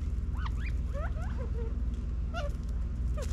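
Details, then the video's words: California quail feeding in a backyard in Las Vegas, Nevada, in fall 2022, giving short, soft, slurred notes, some rising and some falling, in quick succession, over a steady low rumble of wind or traffic. "quail sounds"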